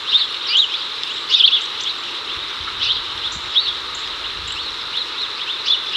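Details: House sparrows, a male calling a female over, in Chicago in 2024 while the birds catch cicadas; short sharp chirps come in loose bursts over a steady high-pitched hiss.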